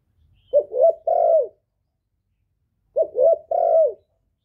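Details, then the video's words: Decoy male spotted dove calling to draw wild birds, recorded without background noise; two identical phrases about two and a half seconds apart, each a short coo, a second coo, then a longer sustained coo dropping at the end. "Chim cu đất, cu gáy gọi, tiếng chim cu trống kéo bổi về tàng, tiéng cu gáy không tạp âm, cu mồi"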